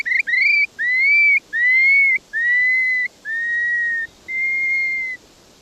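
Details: Recording of a Long-billed Curlew, a very big shorebird of Santa Barbara county beaches and mudflats, giving about seven clear whistled notes in under six seconds: the first short and rising, later ones longer, level or slightly falling.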